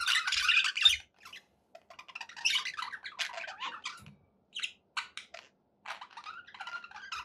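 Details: Budgerigars chirping and squawking in short, scattered bursts with gaps between them, and a thin whistled note near the end.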